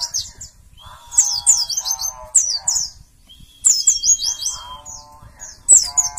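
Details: White-eyes prepared for singing competition, several birds together; quick high twittering phrases in two bursts, with a long flat whistle and lower buzzy warbling notes underneath.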